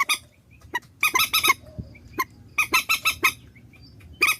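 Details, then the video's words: Vietnamese decoy recording of purple swamphen: clusters of sharp, nasal honks in quick pairs and triplets, separated by pauses, over a faint low rumble. "Tiếng trích ghép mòi cho anh em"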